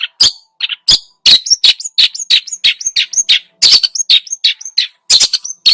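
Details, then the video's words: Long-tailed shrike pouring out a dense lure song full of mimicked phrases: fast, varied mix of rasping screeches, chattering clusters and short upslurred whistles, almost continuous and about three notes per second. "PANCINGAN !!! burung cendet gacor, full isian,..!!! DI JAMIN EMOSII."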